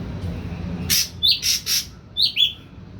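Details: Young Ashy drongo kept in a cage, three weeks on full pellet diet and beginning to call, gives several brief, sharp, high chirps with clicking bursts.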